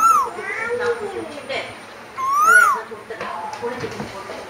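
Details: Asian koel singing: two clear tonal notes about two seconds apart, each arching up and then falling away, with harmonics above and softer murmuring sounds in between.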